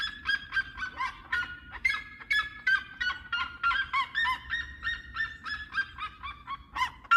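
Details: Seriemas (red-legged) singing a rapid run of shrill, yapping notes, roughly three per second, each harsh and overtone-rich, with pitch wavering up and down and faint low rumble underneath.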